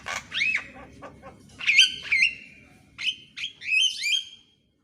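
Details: Morning song of a Javan myna used for training birds: loud slurred whistles that swoop down and level off, delivered in short phrases with brief pauses, over a faint low hum that stops near the end.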